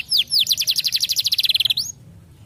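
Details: Canary, recorded as a tutor song for young canaries, giving two sweeping whistles followed by an accelerating trill of about twenty rapid high notes that ends abruptly with a rising slur, then quiet.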